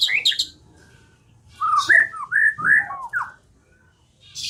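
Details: White-rumped shama song used as a lure to make birds sing: a brief high note, a pause, then a quick run of rich looping whistles that rise and fall, followed by silence.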